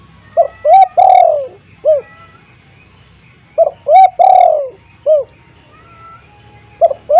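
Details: Big-voiced spotted dove used as a lure, giving hooted coo phrases that end in a long sliding note and a short trailing coo, repeated every three seconds, with faint high chirps of other birds behind.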